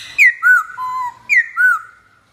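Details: Black-throated laughingthrush song with clear, loud whistled phrases. Sharp downslurred notes lead into level and gently falling tones, repeated in two similar bursts about a second apart.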